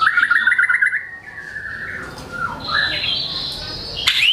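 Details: White-rumped shama in captivity singing hard, varied material meant to prompt reluctant birds: a quick wavering trill opens, then long gliding whistles rising to high sustained notes and a final bright upward slur.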